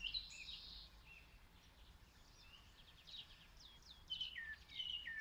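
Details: Song thrush singing far off in Zala county, Hungary, recorded on a mobile phone: faint, high, repeated whistled phrases, some slurring downward, with soft chattering notes between them and low background noise.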